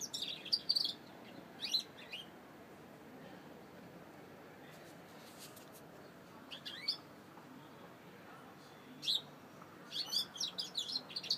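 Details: Saffron finch song in bursts of sharp, high chirps and quick trills. A lively opening cluster gives way to a long quiet stretch with a few isolated notes, then a busy closing burst of rapid chirping.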